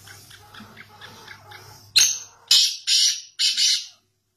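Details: Black francolin from Pakistan calling: after soft background chatter, four loud, harsh, grating bursts, the first two short and abrupt and the last two longer and rasping, ending in silence.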